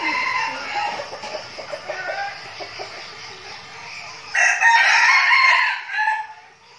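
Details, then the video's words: Captive red junglefowl decoys kept for forest meetings, practising together: hiss and soft clucking background, then a loud, strained, ringing crow bursting in near the end and fading out. "Bầy gà rừng mồi tập luyện chuẩn bị đi rừng giao lưu"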